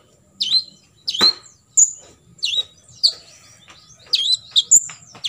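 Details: Olive-backed sunbird 'tembakan isian' shots for tutoring contest birds: spaced, piercing chirps with downward sweeps and occasional very high pure whistles, bunching into quicker notes near the end.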